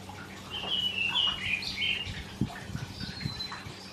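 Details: A Karoo thrush sings a run of fluty, warbled phrases, then a thinner high whistle, over a low hum and soft thumps; this species sings every summer morning, first to start, usually before sunrise.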